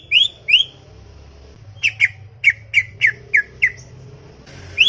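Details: Greater green leafbird, described as chattering, singing in a garden: paired upslurred whistles, then a quick run of seven short falling whistled notes about every third of a second, ending on another rising whistle, over a low background hum.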